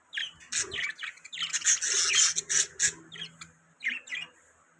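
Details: Budgies chirping rapidly, a busy stream of high clicks, warbles and squawky notes that thins to a few separate chirps at the end.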